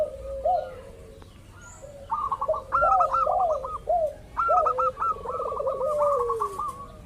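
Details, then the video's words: Local zebra dove calling as a lure to provoke others: after a quiet start, a run of curved cooing notes and high chattering bursts in uneven groups. "pancingan burung perkutut lokal ampuh , perkutut lokal jago memancing lawan bunyi"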